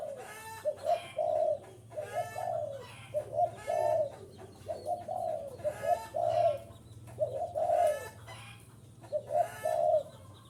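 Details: Spotted dove calling to entice wild birds: a long series of low, hollow cooing phrases, each a short stutter of notes ending in a fuller coo, repeated about every one and a half seconds with scratchy chirps between.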